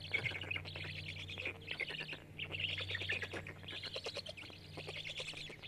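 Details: Black stork (Ciconia nigra) chicks at a nest camera on an old artificial nest platform in Jõgeva County, Estonia, 29 May 2022, give begging calls while being fed: steady raspy wheezing chatter in rapid bursts over a low hum.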